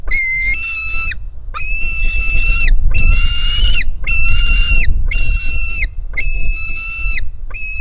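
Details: Live nest camera, 4 July 2018: a hungry white-tailed eagle chick begs at its mother, giving repeated high, penetrating whistled notes, each held for about a second, in a fast series with only short gaps.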